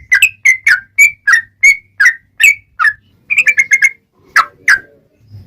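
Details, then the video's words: Sooty-headed bulbul in vigorous long rapid song, played to prompt other bulbuls to reply: clear whistled notes, slurring down, repeated about three per second, then a quick burst of chirps and two louder calls. "SUARA trucukan gacor ROPEL PANJANG"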